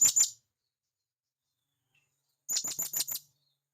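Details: Calling to its companions, a wild blue-crowned hanging parrot gives a pair of thin, piercing notes, then after a two-second pause a run of six rapid high shrieks.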